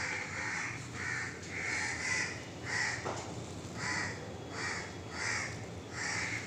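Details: Crows keep cawing at a monkey in a tree until it leaves; fast continuous calling signals the monkey moving. Harsh caws come in quick bursts near the start and again at the end, with a quieter gap in the middle.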